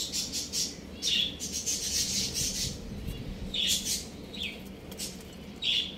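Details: Young chickens playing at home give scattered high, sharp peeps that fall in pitch, with a busier cluster early on and then spaced single calls over a low steady hum.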